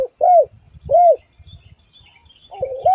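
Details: Spotted dove (tekukur) cooing actively for use as a lure and master call: two rounded, arched coos in quick succession, a quiet gap, then a rolled note running into a longer coo.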